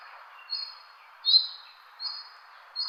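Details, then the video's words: Chirping birds give thin, high, level whistles. Four notes come at uneven gaps, with the second the loudest. A faint murmur of other calls sits underneath. "Birds chirping sound"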